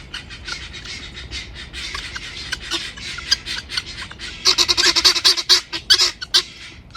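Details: Helmeted guineafowl calling loudly, a run of harsh, rasping, broadband notes repeated roughly twice a second, building to a denser, louder burst in the last few seconds.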